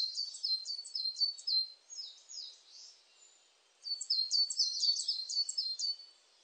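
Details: Coal tit repeating high, sharp two-note phrases in quick bursts. A short pause near the middle is followed by another rapid series of the same bright, dipping notes. No other sounds are heard.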